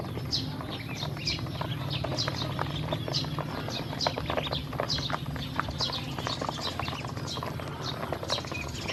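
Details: Group of hungry domestic ducklings eating feed and drinking water: a continuous stream of thin, falling peeps from many birds, with rapid tapping and pecking noises throughout.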